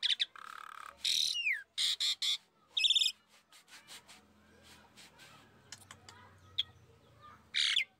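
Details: Asian pied starling in lure song: loud harsh rasping bursts mixed with a few whistles, then a quieter gap with faint clicks and background hum before a final harsh note.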